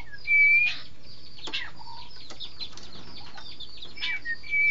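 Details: Green magpie, known locally as engkek keling, gives a clear, pure whistled note at the start. Faint chirps and clicks follow, and two more short whistled notes come near the end.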